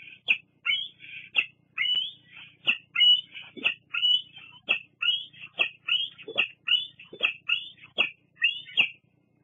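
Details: Young bald eagle squeeing persistently at its mother at a Fraser Point nest on 8 August 2022; insistent high screechy notes in quick succession with abrupt clicking accents, little background noise.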